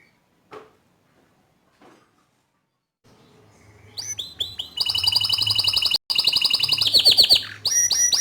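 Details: A few faint ticks and near quiet, then a green canary bursts into energetic song, with rapid high trills, rolling buzzy phrases and sharp chirps. It serves as a master song for young canaries.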